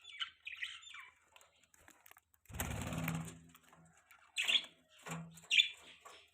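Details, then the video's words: Budgerigars chirping: short, bright chirps and warbled notes in bursts at the start and again near the end, with a burst of wing flapping or rustling in between and a low hum. "Beautiful Budgies Chirping Sounds"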